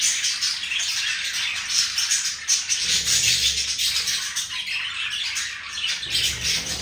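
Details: Pair of pet budgerigars being affectionate with each other; steady, busy chatter of rapid scratchy chirps and clicks running throughout, with a soft low hum underneath.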